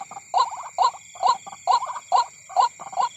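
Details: At night beside a corn field, a white-breasted waterhen repeats short nasal rising notes roughly every half second, seven in three seconds, over a faint low rumble and steady high whining tones.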